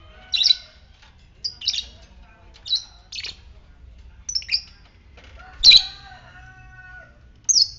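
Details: Lovebird of fighter type calling in ngetik style to stimulate ngekek in other lovebirds: about eight short, sharp, high chirps at irregular intervals, one louder burst near the end, with a faint lower whistled tone between.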